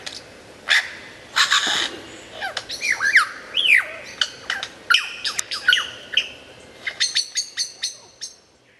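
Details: Vigorous lyrebird song, clear and loud: harsh squawking bursts, swooping slurred whistles and a rapid series of short sharp notes near the end.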